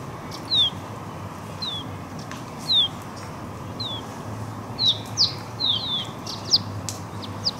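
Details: Juvenile Eurasian crag martins receiving food beside the Walensee, Switzerland, give sharp, high, downslurred chirps, spaced at first about once a second, then bunching into a quicker run near the end against faint constant background noise.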